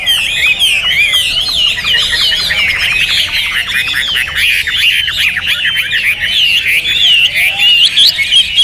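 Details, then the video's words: Loud, energetic Hwamei song: dense rolling whistles and sweeping slurred notes delivered continuously, scratchy trill-like passages mixed in. "Hwamei Raja Tega Volume Dasyat"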